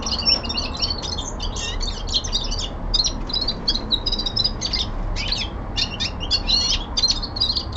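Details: Winter descant of a young male linnet kept at home: rhythmic runs of quick twittering notes and chattering rattles in repeated bursts, with short gaps between phrases.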